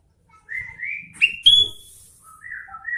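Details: Sooty-headed bulbul in vigorous song, a flowing series of whistled notes building to a loud ringing upslur, then softer level whistled phrases.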